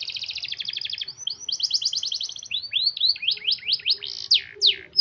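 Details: Canary rolling song for luring reluctant singers: a sustained buzzy trill, a second bright roll, then hooked rising notes and loud, widely spaced falling whistles.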